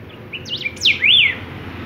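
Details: Singing golden-billed saltator giving a brief phrase of clear, sliding whistles, a few quick notes leading to a loud rising-and-falling final whistle, with light background noise.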